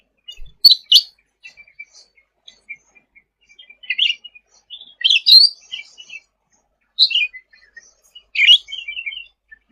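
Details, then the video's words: Sooty-headed bulbul singing vigorously ('gacor') as masteran audio: two sharp opening chirps, then separate bursts of bubbly, twittering phrases spaced a few seconds apart. "Suara Cucak Ranting Gacor untuk Masteran ll Suara burung cucak rante"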